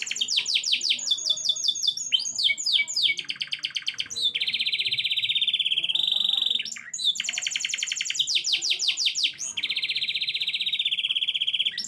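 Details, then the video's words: Canary singing continuously with a low rolling song: rapid repeated trills and sweeping whistled notes, then long steady low rolls held for one to two seconds, alternating back and forth over a quiet background. "Sekali cuit langsung gacor ngeroll di bawah"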